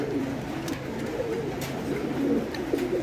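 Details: Fancy pigeons, domestic breeds kept on a Bangladeshi pigeon farm, give soft bending coos that glide up and down, several birds overlapping in a steady low murmur.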